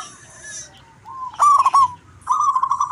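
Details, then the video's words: Local zebra doves answering each other: a soft rising whistle, then two loud, rapidly trilled cooing phrases with bright pulsing notes, separated by short pauses. "Perkutut lokal suara gacor Mp3 dijamin saling sahutan"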